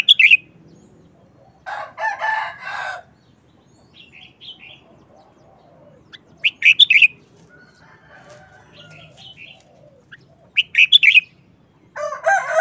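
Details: Red-whiskered bulbul delivering short, fast wild-style song phrases of bright warbled whistles, repeated at intervals of several seconds. Two louder, buzzy harsh bursts from another bird interrupt, with faint chirps in between.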